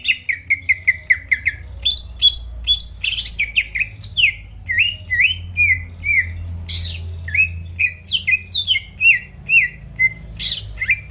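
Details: Energetic greater green leafbird song for provoking rival birds to sing: a quick run of identical chirps opens, then rising and falling whistled phrases with some squeaky notes follow in a fast, continuous stream.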